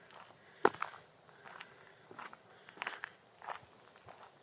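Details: Crunching footsteps on a path with faint outdoor background noise, and no animal calls.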